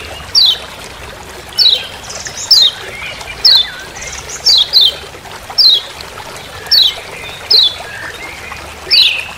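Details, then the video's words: Long run of 'ciak ciak' calls from a Lemon-bellied white-eye in Lombok forest: about eleven sharp, high, downslurred chips, several paired, spaced unevenly over nine seconds with faint softer notes between. "Masteran Kecial Kuning Ciak Ciak Di HUTAN"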